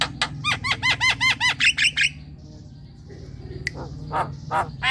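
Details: Javan myna, a lively singing bird, used as a lure to get young and untrained mynas calling: a fast run of harsh, arched, repeated notes, about nine in two seconds, then scattered sharp clicks over a low steady hum.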